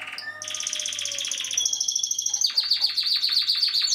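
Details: A Spanish Timbrado canary sings a drawn-out, bell-like rolling tour, high and ringing, then drops into a faster, sharply pulsed chopping trill of repeated clipped notes, with no background noise.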